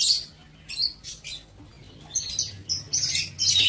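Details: Lovebirds in a breeding aviary keep up busy, shrill chattering, with rapid high-pitched chirps following one another almost without pause.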